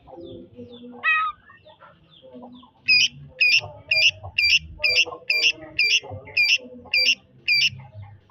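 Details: Greater green leafbird singing in the trotol style. After a few scattered soft notes, a bright, piercing phrase repeats rapidly about twice a second, with low rustling underneath.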